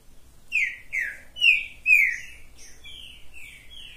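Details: Captive green-winged saltator singing on a hand, giving a series of strong descending whistled phrases roughly every half second, then softer, higher slurred notes toward the end; faint low background noise.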